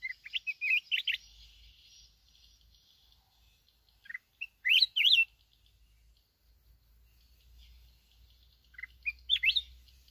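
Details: Mountain red-whiskered bulbul from Bình Thuận, apparently a trapping/decoy bird, gives three short bursts of bright, warbled whistles about four seconds apart, over a faint low rumble.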